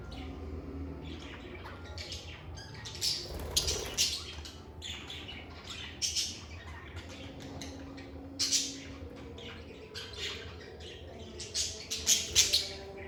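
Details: Pet lovebirds in a calm indoor setting, a busy mix of sharp high chirps and squawky notes in bursts, louder clusters near the middle and end, with a low steady hum underneath.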